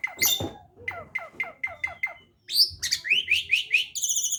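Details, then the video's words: Beginner starling singing a run of five short, sharp, descending chirps, then a brief pause and a series of rapid, high rising whistled notes ending in a buzzy trill; faint low rumble beneath. "burung jalak pemula"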